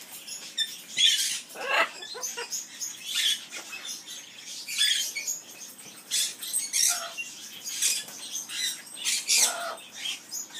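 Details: Amazon parrot in an aviary gives the skimmeradinkadinkadink song as rhythmic clusters of rasping, buzzy chatter. Loud squawky bursts come roughly every second, interspersed with short squeaky notes.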